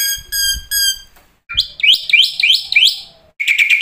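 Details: Black-winged starling song from a bird-training lure recording with fill-in phrases, meant to set starlings singing day and night: three bursts of harsh harmonic notes, a pause, then rising whistled phrases repeated about every half second.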